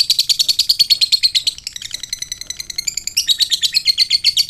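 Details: Ngekek of a fighter lovebird used to stir other lovebirds to answer: dense rapid chattering notes, a short rougher, lower-energy middle section, then the fast high chatter resumes strongly.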